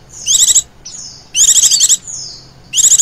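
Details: Female Oriental white-eye calling, a recording used to lure other birds. High, rapid buzzy trills in bursts about half a second long, separated by thin descending whistles, three bursts in three seconds.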